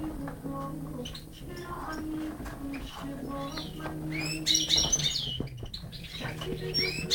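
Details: A tamed European goldfinch (Carduelis carduelis) singing bright, tinkling twitters and quick high chirps, busiest in the second half, over a steady low droning hum.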